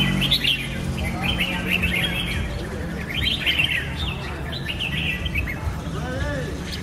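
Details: Red-whiskered bulbul singing: bursts of bright, bubbly whistled phrases that rise and fall, coming in quick runs with short gaps. A steady low rumble sits underneath.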